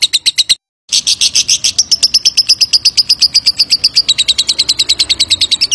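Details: Long ngekek trill of a lovebird, played to draw a reply: rapid, shrill, evenly spaced chirps, cut by a short silent break early on, then rolling on unbroken to the end.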